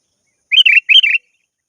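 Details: Sooty-headed bulbul calling toward a rival with two quick, bubbly phrases in close succession, each made of slurred liquid notes, clean and without background noise.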